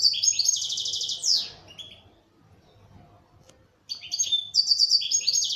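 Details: Local Algerian European goldfinch, a bird once kept by its owner, singing rapid, dense twittering with buzzy trilled notes high in pitch. A vigorous phrase of about 1.5 seconds is followed by a quiet pause, then another energetic burst.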